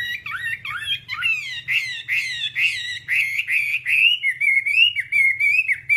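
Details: Whambie song from an hour-long nonstop tutor recording for training kept birds: a continuous run of high, slurred whistled notes, rising and falling, joining into a warbling stream, with faint low hum underneath.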